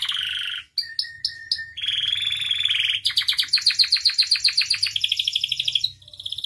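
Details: Canary singing actively as a lure and master recording with a full varied repertoire: a buzzy phrase, short repeated whistled notes, a steady buzzy note, then a rapid accelerating trill from about the third second to the sixth, and a final buzzy note.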